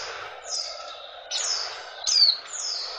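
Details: A female oriental white-eye mating call intended to arouse males; three soft, high falling whistles, the last one sharper and louder, over steady background hiss.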